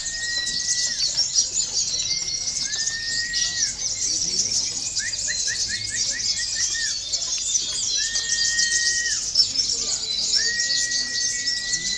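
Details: Local olive-backed sunbird singing, played as conditioning for songbird contests: dense, rapid high twittering runs throughout, with long level whistles that drop at the end and a short burst of quick stacked notes midway.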